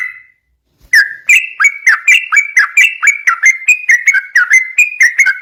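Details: Energetic sooty-headed bulbul song meant as a lure for training other bulbuls: after a brief pause, a quick run of short liquid whistled notes, some rising, some dipping, delivered about twice per second.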